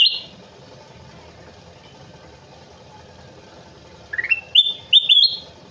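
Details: Kutilang emas bulbul singing vigorously: after a long quiet stretch, a brief whistled note, then a clear phrase of rising, stepped whistles climbing to a high, sustained ringing tone, over faint low background hum.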